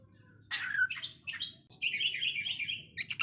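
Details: Oriental magpie-robin phrase in rough konslet style: a few slurred whistled notes, then a sustained buzzy trill held for about a second, ending in a short burst of rapid notes.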